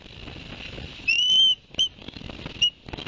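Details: Osprey at a Barnegat Light nest on 11 September 2021, live nest camera, the adult male having delivered two fish to the young: one long high whistled note then two short whistles, over a steady hiss.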